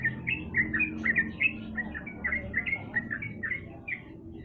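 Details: Sooty-headed bulbul singing as a lure for a bird that will not sing: a steady stream of lively chirped and slurred notes, roughly four per second, over a constant low hum.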